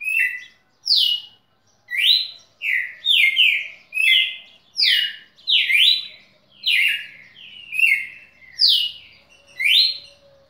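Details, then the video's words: A red-cowled cardinal, recorded 6 December 2017, sings clear, loud, downslurred whistled notes, roughly one per second, with a few paired notes, in a quiet room. "Galo-de-campina professor"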